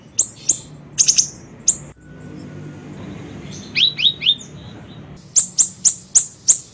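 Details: Small siri-siri bird on a lure and training tape: bursts of shrill high chirps, a short silence, a run of four falling slurred notes, then evenly spaced piercing chips.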